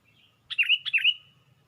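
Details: Sooty-headed bulbul raising its wings atop a branch, recorded for bird luring: a soft lead-in note, then two quick bubbly phrases of sharp onset and slurred, rolling chirps.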